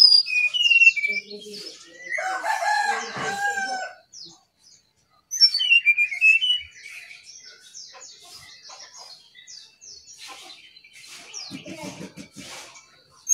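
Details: Brown-chested jungle flycatcher singing: sweet high whistled notes and quick chirps in bursts, a lower warbled phrase near the start, then buzzy scattered chatter after a short pause.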